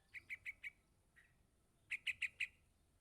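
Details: Young yellow-vented bulbul calling for its parent, giving two bursts of four rapid, bright chip notes separated by a single faint note and a short pause. Otherwise quiet surroundings.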